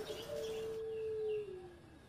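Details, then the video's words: Former champion zebra dove in engkel-style song: a single long, steady, mid-pitched cooing tone that slides slightly lower at its end, with faint background hiss. "Mantan Juara Suara Engkel Sari Cengkok Irama Merdu"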